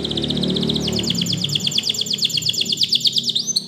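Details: Spanish Timbrado canary singing a training song: a fast, even trill of sharp repeated notes, some tiny clicks, with a low hum in the background.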